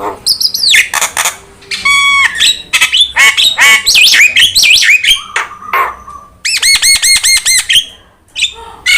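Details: Varied Javan myna singing used as a tutor recording: wavering whistles, buzzy chattering runs, a low drawn-out note, and a fast series of rising chirps near the end.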